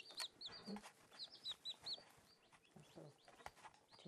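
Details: Newly hatched Silkie chicks at play give high, quick peeps, several falling in pitch, amid background rustling and handling noise.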